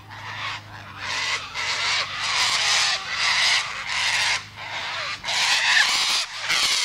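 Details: Continuous cockatoo screeching, a near-unbroken string of coarse, loud squawks each under a second, barely pausing across seven seconds, with a low hum at the start.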